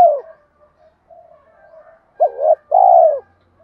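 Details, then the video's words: Spotted dove, male and female birds, calling to spur others to coo in training. A coo tail opens, quiet murmuring follows, then one full phrase: a brief warbled double note leading into a long, falling coo. "tieng thuc gay goi kich la gáy/ chim cu gáy thúc rút bổi nghe rất xiêng gáy"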